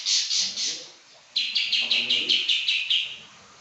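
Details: Caged pekin robin in lively, persistent song: a rapid series of bright, harsh chirped notes repeated roughly every quarter second, a short pause, then a longer even run of the same notes.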